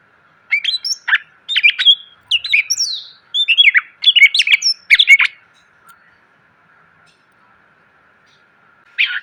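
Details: Greater green leafbird song used to train cage birds: four bursts of rich warbled whistles and chirps over about five seconds, then near silence before a last short note, steady hum throughout.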